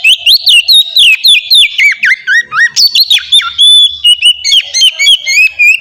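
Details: Oriental magpie-robin, singing ngeplong, melodious song meant to lure other magpie-robins into singing: continuous rapid whistles jumping up and down in pitch, mixed with sharp chips and brief harsh notes, delivered without a break.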